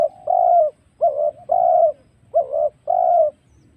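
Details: Wild spotted dove, recorded as a lure for trapping wild birds: low, mellow coos in a broken phrase of five notes, some doubled, separated by short pauses, with a faint low rumble beneath.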